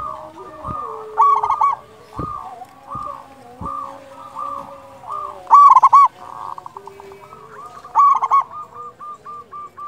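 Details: Local Zebra Dove with a loud voice, sung to provoke other doves into singing: soft rhythmic coos repeated rapidly, broken by three loud rolling trilled phrases, with a few faint clicks.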